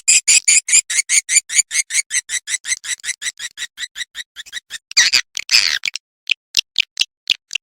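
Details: Edible-nest swiftlet roosting lure sound, suara inap, played to draw swiftlets in to roost. A fast, regular train of bright buzzy chirps gives way to a harsher rattling burst, then more spaced clicks.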